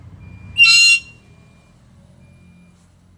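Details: A single strident, buzzy shriek from a black-capped lory, followed by quiet with only a faint low hum.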